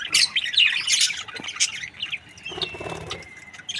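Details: Budgie breeding pair, happy, chattering in a fast run of scratchy chirps, then a thin drawn-out whistle sliding downward in the second half.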